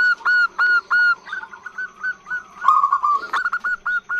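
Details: Female zebra dove, long call meant to lure males. Opens with several even, flat whistled notes with bright overtones, then a quicker, uneven string of short clipped notes. A brief rough burst near the end and a faint steady high tone throughout.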